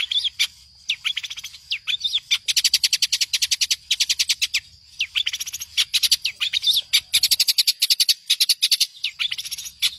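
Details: Long-tailed shrike training song for other songbirds, with fast rattling series of sharp high notes mixed with short whistled slurs, delivered in rapid runs with short breaks.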